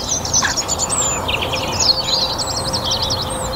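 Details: Song thrush in a North Antrim garden, spring evening chorus after a glorious sunny day: rapid zigzagging warbled phrases, high and twittering, blending with other garden birds singing around.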